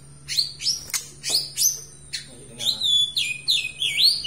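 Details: White-rumped shama from Aceh in lively song: quick upslurred whistles with sharp clicks, then rich, looping whistled phrases that rise and fall.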